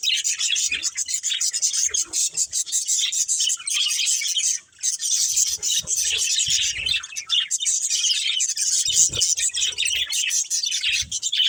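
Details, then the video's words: Continuous busy chirping and warbling from a budgerigar breeding pair, high and grainy, with one short pause midway. "Cute Budgies Chirping Sounds"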